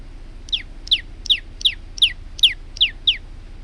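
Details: Male olive-backed tailorbird singing, recorded as a training model for other birds: eight shrill downslurred notes at a slightly uneven pace of about two per second, above a soft low rumble.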